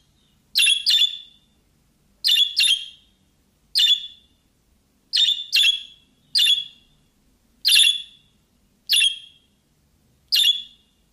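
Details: Pet budgerigar reacting to bird sounds played on a phone and attacking the phone: sharp, harsh chirps, often in quick pairs, repeated every second or so.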